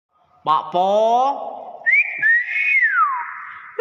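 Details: Nias hill myna (Gracula robusta) giving a nasal, voice-like harmonic note, then a loud clear whistle that rises and slides back down, ending with a short sharp note.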